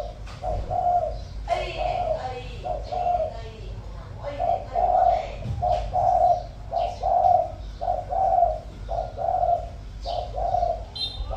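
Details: Spotted dove kept as a decoy, cooing in the 'Thổ' voice style: repeated mellow low coos in short phrases about once a second, with faint speech and a steady low hum behind.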